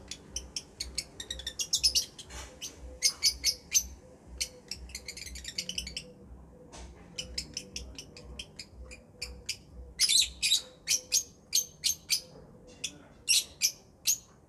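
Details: Lovebirds chirping continuously: rapid, high-pitched chattering notes in dense clusters, brief pauses between bursts, then spaced sharp chirps, with a low steady hum in the background.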